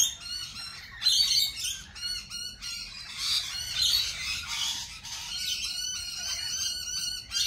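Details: Many lorikeets at a cafe screech at once, a dense wall of grating, buzzy squawks rising and falling in waves over seven seconds with no quiet gaps.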